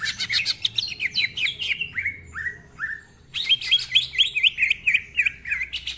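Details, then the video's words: Greater green leafbird in active ngentrok-style song full of varied phrases. Rich whistles and rough notes fall from high to lower pitch, then a pause and a fresh run of quick, looping whistled notes. "Cucak Ijo Gacor Ngentrok Full Isian, Nembak Rapet Suara Kasar Isian Mewah"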